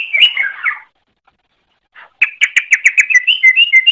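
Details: Greater green leafbird singing, intended as a tutor recording for other birds. A short warbled phrase of mixed chirps, then silence, then a fast run of sharp repeated notes, about three per second, ending in slurred whistles.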